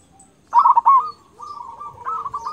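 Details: Zebra dove of a local strain singing actively, its big-voiced 'kung' song used to train other doves: a loud rolling coo phrase opens after half a second of quiet, followed by softer sustained cooing with faint rising notes.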